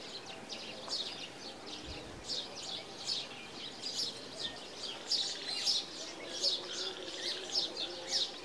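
Green Bee-eater giving soft, high, liquid trilled notes in short bursts, repeated every couple of seconds over a faint outdoor hiss.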